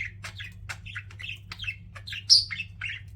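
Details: Pet budgies giving a quick string of short, bright chirps and slurred little whistles, roughly three or four per second, with one louder, higher squeak past the midpoint.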